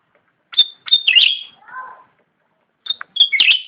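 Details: Cucak ranting singing: two sharp high whistled notes, then a rich buzzy twittering flourish and a soft lower warble, followed by a second similar phrase after a brief pause.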